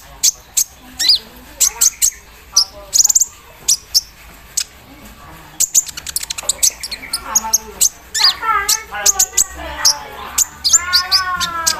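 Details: Javan sunbird in the morning dew, singing an embroidery-machine-like filler: quick, piercing high chips and thin falling notes, later joined by lower wavering warbled phrases.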